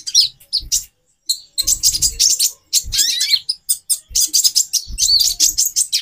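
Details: Bursts of high, thin chirps and twittering trills from a female olive-backed sunbird, given to arouse a male's mating drive, broken by short gaps, with faint low knocking sounds.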